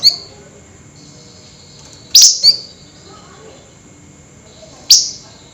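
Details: Flameback calling at night in an agitated, rapid-fire style called nyerecet: sharp, harsh, high-pitched notes, a single note and then a close double note, spaced a couple of seconds apart over a faint steady background hum.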